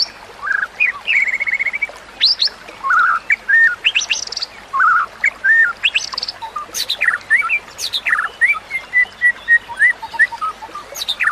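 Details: White-rumped shama song meant for tutoring other shamas: varied whistled phrases, steady flat notes, sharp high upsweeps and harsh chattering bursts, delivered in a lively continuous stream.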